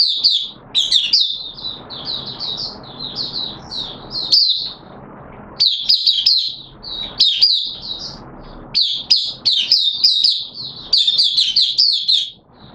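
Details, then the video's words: High, rapid twittering from a caged oriental white-eye in open song, wet weather, 6 September 2022: long strings of quick sweet chirps in phrases separated by brief pauses, over a soft background murmur. "Mata Puteh T Rex Buka Sing"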